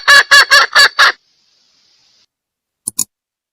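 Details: Female red junglefowl call meant to lure a male: five quick, loud, raspy clucks in a row, then silence. Two faint short clicks follow near the end.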